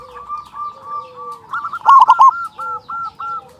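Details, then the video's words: Loud local zebra dove singing as a lure to get other doves calling: soft, level cooing notes build into one strong, rapid stuttering burst, followed by evenly spaced short coos. "Perkutut lokal gacor suara besar pancingan burung perkutut agar cepat bunyi"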